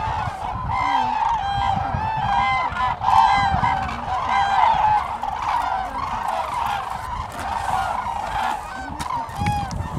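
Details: Many common cranes calling at Lake Hornborga, Sweden, in April 2017, a thick chorus of rolling trumpet-like calls repeated rapidly and irregularly, louder bursts around the middle.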